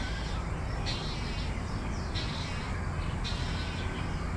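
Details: A fledged young Malayan night heron that has left the nest keeps begging food from its parent: harsh, raspy begging calls, a few bursts about a second apart, over a steady low rumble.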